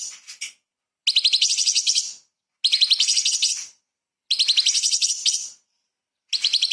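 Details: Light-vented bulbul delivering 'tembakan' rapid-fire song for training murai and kacer: a few short chips, then three high, pulsing trills of about a second each with short gaps between them.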